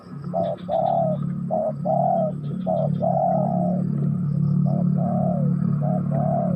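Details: Spotted dove coos, clipped short notes and longer falling phrases repeated in a loose rhythm, heard over a loud, continuous low droning background sound.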